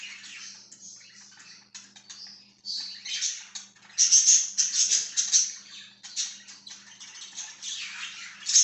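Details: Budgerigar on 14 September 2023, chattering in a rapid, scratchy stream of high chirps and squeaks, swelling louder midway, over a faint steady low hum.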